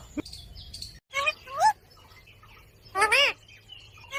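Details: Green ringneck parrots, said to be dancing, give two harsh, arching calls that rise and fall, separated by quieter chatter over a steady low hum.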